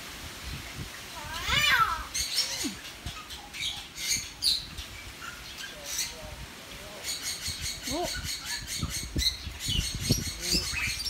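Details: A caged common hill myna in a residential area of Sanur, Bali, in July 2019 gives loud whistles and throaty, speech-like notes at intervals. People chat to it, and small birds, including a caged Bali myna behind it, chirp in the background.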